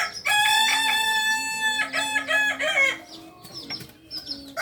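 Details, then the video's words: Native Solok singing rooster of the Kokok Balenggek breed, farm-bred in Solok city, Indonesia, delivers a rich crow of about three seconds, a chain of many short rising-and-falling stepped syllables, with light bird twitters after. "Ayam kukuak balenggek ayam penyanyi asli solok"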